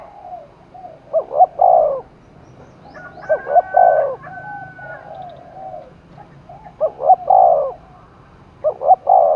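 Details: Spotted dove cooing to rouse a contest in the Đồng Nai forest, Vietnam. Three repeated phrases of rapid doubled hoots and a swelling, falling coo, with a thin steady whistle-like tone in between.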